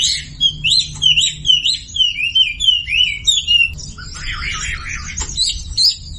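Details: Sumatran leafbird masteran song, played as a lure to get quiet birds singing: quick slurred whistles rising and falling, repeated several times a second, then a denser chattering burst before the whistles resume.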